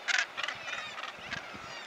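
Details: Northern Gannets at the Troup Head clifftop colony in Aberdeenshire, Scotland, the only mainland colony with over 3,000 nesting pairs, give harsh, grating, rasping calls in a quick run of four or five bursts, with a noisy colony murmur behind.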